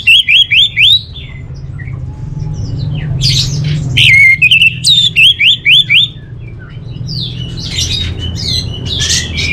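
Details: Kept orange-headed thrush from Bali singing bursts of fast repeated whistled notes, about five per second, alternating with varied twittering and buzzy phrases, over a low background hum.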